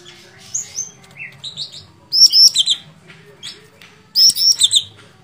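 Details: Sooty-headed bulbul singing: a few soft, mid-pitched slurred notes lead into two loud bursts of sharp, high whistled notes, each burst of three or four quick notes.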